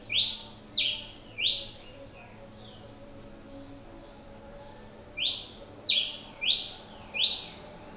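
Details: Pileated finch repeating its song: three quick harsh chips, a quiet gap of nearly four seconds, then four more sharp, descending metallic notes at a steady half-second rhythm; faint background murmur.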